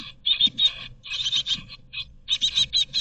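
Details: In a Berlin nest box in 2022, great tit chicks give a dense chorus of high, hissy, buzzy begging calls at feeding, in rapid bursts with brief pauses between surges; faint low rumbling beneath.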